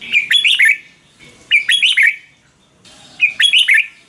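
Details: Red-whiskered bulbul song meant to rouse or train caged birds: three crisp phrases of quick, rolling whistled notes, each with a rising-falling lilt, spaced a little under two seconds apart.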